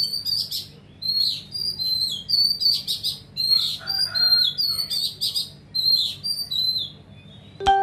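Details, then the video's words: Oriental magpie-robin singing: varied high whistled and slurred phrases repeated in quick succession, some sharp buzzy notes, over steady low background hum, ending with a loud click. "chòe hót xòe to"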